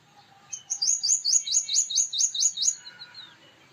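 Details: Rapid series of roughly ten sharp, high, rising metallic notes from a male purple sunbird, delivered in just over two seconds, then fading into quieter trailing chirps.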